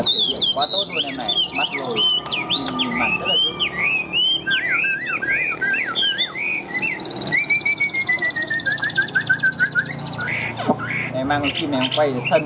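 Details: Tame caged Chinese hwamei from Vietnam with a very loud, ringing voice gives a long, rich song of varied looping whistles, trills and rapid slurred notes, then a steady descending series of short whistles. A person talks in the background and a faint tone hums.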